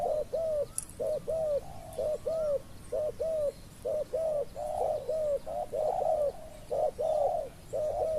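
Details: Spotted dove calling to lure in wild doves: mellow, hollow coos in paired notes, roughly one per second. The series runs steadily with only faint bird twitters behind it.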